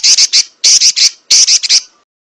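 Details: Female Oriental magpie-robin giving a rapid, harsh, rattling chatter used as a training recording for other birds: three bursts of loud scratchy notes, each about half a second long, separated by brief gaps.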